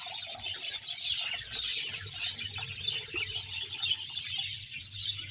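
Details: Budgerigar colony of 100 pairs in Bahawalpur, heard as a dense wash of high squeaky chirps and chatter with sharper squeals standing out, over a steady low hum.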